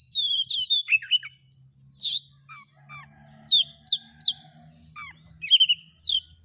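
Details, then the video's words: Oriental magpie-robin song used to provoke a quiet, reluctant bird into singing against a rival: loud, varied whistled and slurred notes in short bursts, some dropping sharply in pitch, with pauses between phrases and a low hum beneath. "KACER GACOR CARI LAWAN.! PANCINGAN KACER PENDIAM MALAS BUNYI LANGSUNG NYAUT."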